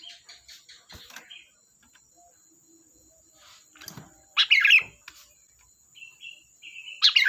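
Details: Sooty-headed bulbul (kutilang) in energetic song: soft rapid chirps at the start, then two loud bubbly, gurgling phrases a few seconds apart with short whistled notes between, over a constant thin high hiss.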